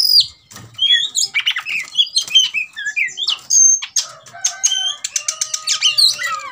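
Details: Oriental magpie-robin provoked to fight, refusing to stay quiet, pours out a rapid medley of loud whistled slurs and harsh chips. It ends with a rattling series of clicks over a long low steady tone.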